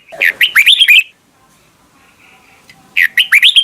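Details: Brief red-whiskered bulbul morning song in the "âm kép già rừng" double-note style: a lively burst of slurred whistles, a quiet gap with faint tones, then the phrase starting again.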